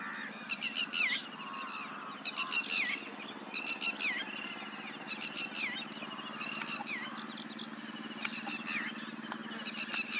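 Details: Paddyfield pipit singing, recorded on a Nikon P1000: short bursts of chirpy, trilled notes with rising and falling slurs, repeated every second or so over a steady low hum and outdoor noise.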